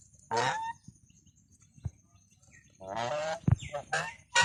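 A goose gives loud, harsh, nasal honks, one near the start and a rough run of several near the end, with soft thumps between.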